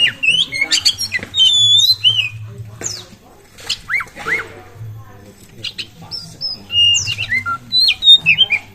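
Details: Oriental magpie-robin singing continuously, used as a lure to spur other birds to sing; bursts of sharp whistles, looping notes and buzzy chatter separated by brief quiet gaps, over a low background hum.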